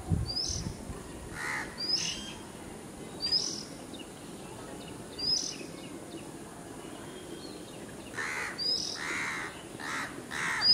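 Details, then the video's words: House crow giving loud, harsh, nasal caws, one early and then a quick run of four near the end, while another bird's thin, high chirps repeat about every second and a half. "House Crow Call"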